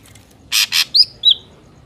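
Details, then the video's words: Ashy drongo lure sound for trapping: a pair of rough, scratchy rasps, then two bright slurred whistles, the first rising and the second falling. "PANCINGAN SUARA BURUNG SRIGUNTING AMPUH"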